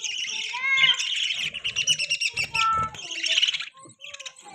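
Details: Budgerigar warbling continuously: a rapid, scratchy stream of high chirps mixed with short whistled and rising notes, nearly unbroken for about four seconds before fading, with soft low background noise.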